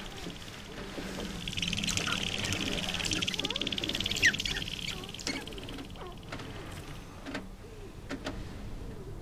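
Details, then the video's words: Sharp-tailed grouse males displaying on their breeding lek at dawn in April, Arrowwood National Wildlife Refuge, North Dakota, on a cold wet morning; fast rattling, stuttering sounds repeated several times a second with a few squeaks and scattered clicks. "Sharp-tailed Grouse Lek"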